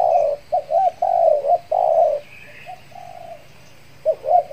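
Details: Kepri decoy spotted dove, fresh from moult, luring wild doves; a sequence of burry coos, some short and looped, two longer and flat, a soft trailing coo, then quick rising notes, faint chirping behind.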